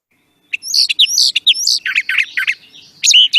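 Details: A Brown Thrasher sings a rapid string of rich, varied phrases, each repeated two or three times before moving on. Bright notes jump between high whistles and lower chirps.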